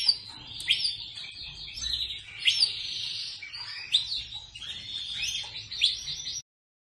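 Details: Persian Rasmi canary from a hobby breeding aviary delivering a continuous warbling song of sliding whistles and trills, with louder accented notes every second or so, ending abruptly.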